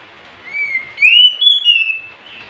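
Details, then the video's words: Oriental magpie-robin song: one sustained, clear whistled phrase that slides upward and then levels off into a bright high note, lasting about two seconds in a quiet setting. "JUARA NYA KACER GACOR pasti ikut bunyi Kacer males stress macet bisu langsung gacor"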